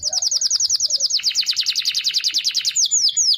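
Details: Canary in a lively, long-rolling song used for daily tutoring of other birds: rapid repeated high notes, roughly twenty per second, forming a steady trill that shifts lower midway, then ends with a few clear downslurred whistles.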